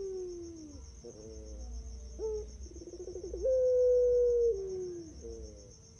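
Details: Champion puter pelung dove, a long-voiced competition type, recorded as a master lure to prompt other birds to sing: clear, drawn-out cooing with a sliding opening note, short hooked notes, then a sustained level coo gliding downward, over a faint constant high whine.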